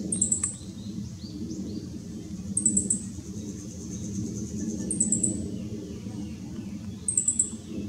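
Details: A meadow bunting, calling in dim backlit conditions on 2 July 2016, gives brief, very high, rapid twittering phrases about every two and a half seconds over a steady low rumble.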